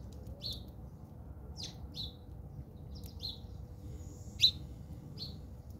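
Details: House sparrows fighting in South Africa: short, sharp chirps repeated every second or so, some in quick doubled pairs, with a steady low hum of background noise.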